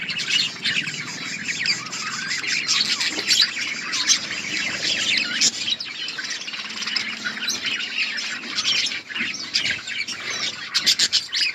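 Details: Many budgerigars chatter continuously in an outdoor colony while feeding, a steady wall of overlapping warbles, squeaks and buzzy chirps with no pause.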